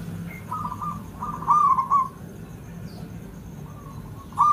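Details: Local Javanese zebra dove, kept as a cage bird, coos a lure song for training: repeated soft rolling cooing phrases, a brief pause, then another coo starting at the end, with low steady hum behind.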